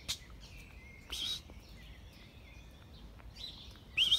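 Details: Sparrows in El Retiro park on 18 April 2020, during lockdown, give three short, bright chirps a second or more apart, with other faint bird calls and a thin, steady whistle in the background.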